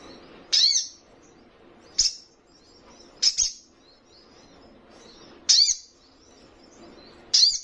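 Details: Young crimson sunbird, a fledgling, calling: sharp high chirps with a brief downward flick, given singly about every one to two seconds over a quiet, faint low hum.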